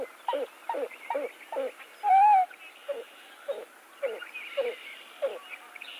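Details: Pied-billed Grebe giving its very loud, far-carrying drawn-out call that seems to tire as it goes: a long run of hollow, hooting cow notes, about two per second, briefly broken by a loud, steady whistled tone.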